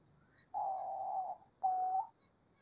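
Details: Diamond dove singing in nature: a long, steady, low hooting coo followed after a short pause by a shorter coo of the same pitch.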